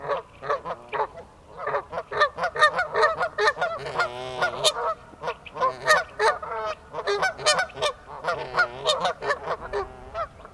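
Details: A pair of Canada geese walking on ice, alarmed by a person nearby, honk in rapid, uneven volleys of nasal, harsh calls, about two or more a second, overlapping and barely pausing for ten seconds.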